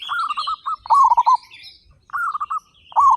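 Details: Local zebra doves, a group of 35 birds in active song with loud voices. Several rapid stuttering coo phrases of four to five pulsed notes, each slightly falling. Faint higher chirps from other birds run behind.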